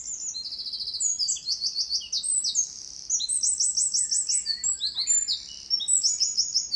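A Eurasian wren pours out a loud, rapid song of high trills and sharp notes, nearly seven seconds without a pause.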